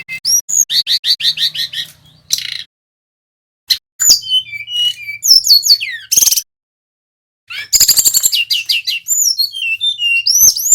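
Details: Male brown-chested jungle flycatcher from Bali in full rolling song used as a lure: fast repeated chip series, sliding whistles and sharp buzzy bursts, broken by two brief silences, faint low hum early on.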